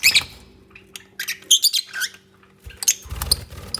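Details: Lovebirds bonding and building their nest, giving a scattered run of shrill, high squeaky chirps in short bursts, with brief pauses between them, over a faint steady electrical hum and some low handling thumps.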